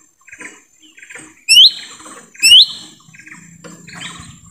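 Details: In forest, a lesser green leafbird, heard as a lure to attract wild birds, utters two loud, clear, upward-sliding whistles about a second apart amid soft twittering from other birds.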